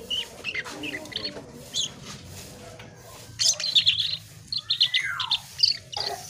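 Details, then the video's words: Gacor Asian pied starling singing: scattered squeaky notes, then a cluster of bright chattering chirps and a falling slurred whistle, over a steady low hum. "Burung cucak Keling Gacor"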